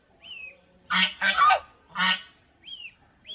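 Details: Loud, blaring honks of domestic geese at Planet Earth Aquarium in Mysore, three harsh calls in quick succession, framed by softer, thin arched squeaks at the start and end.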